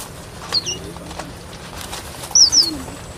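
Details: Strawberry finch, or red avadavat, heard in two brief bursts of thin, very high chirping notes, each burst a quick pair or trio of slurred tweets, separated by about two seconds of faint background hiss.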